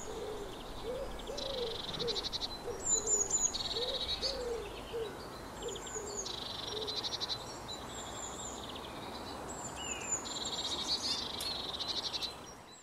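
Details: Eurasian blue tit repeats a series of high 'tsee' notes, each running into a buzzy churr, over about twelve seconds. Low soft rhythmic notes from another bird fill the first few seconds.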